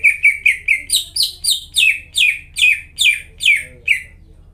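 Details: Energetic greater green leafbird song used as a lure to restart silent caged leafbirds: about a dozen clear, downslurred whistles, repeated a little over twice per second, bright and ringing over a low hum.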